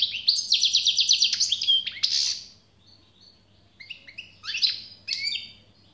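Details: European goldfinch delivering a fast series of repeated tinkling notes into a buzzy burst, then after a pause scattered twittering phrases and slurred chirps; steady low hum underneath.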